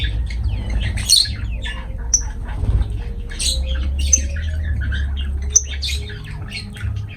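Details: Pet lovebirds chattering with sharp high squeaks, short whistles and scratchy squawks scattered irregularly, over a steady low rumble.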